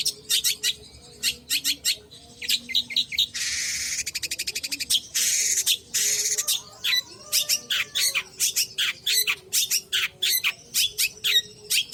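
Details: Energetic Long-tailed shrike song: dense runs of clipped high chirps, a harsh buzzy rattle and a rasping burst near the middle, then quick repeated sharp notes to the end.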